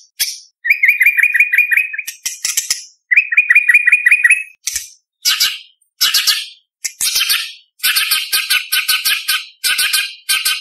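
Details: Competition-style song of a White-rumped shama, packed with varied fill phrases and shots for tutoring young birds: two rapid rattling trills of repeated notes, followed by a string of harsh, buzzy chattering bursts roughly every second.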